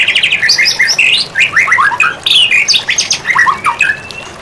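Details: White-rumped shama singing a training song for songbirds: a fast run of varied whistled notes, some rising and some falling, with sharp slurred phrases tumbling one after another without a break.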